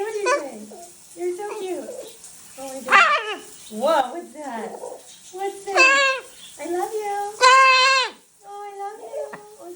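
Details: Pet macaw indoors, chattering in short voice-like harmonic phrases with rising and falling pitch, some squeaky and strained, while a woman talks to it affectionately.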